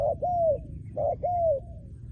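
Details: Trained decoy spotted dove cooing: two mellow phrases, each a short burry note followed by a longer, smooth coo that holds level then droops slightly, with a steady low hum underneath.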